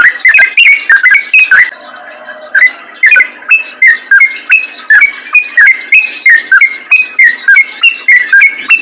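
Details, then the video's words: Yellow-vented bulbul pouring out a fast, chattering forest-style song meant to draw in other bulbuls. Bright, bouncy notes repeat roughly three times a second, broken by one pause of about a second early on. "BURUNG TRUCUKAN ROPEL GACOR NGALAS||PANCINGAN AMPUH UNTUK SEMUA JENIS TRUCUK"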